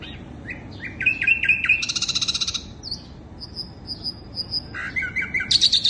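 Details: Bird-luring song of the sikatan londo flycatcher, mixing short whistled notes with a rapid buzzy trill, then thin high whistles and a final burst of quick chattering notes.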